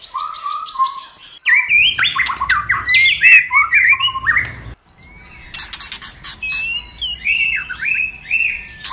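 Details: White-rumped shama singing a varied, many-voiced song used to stimulate other shamas to sing: high whistled notes, rapid chattering and squawky phrases, sliding whistles later, with faint low hum in the background.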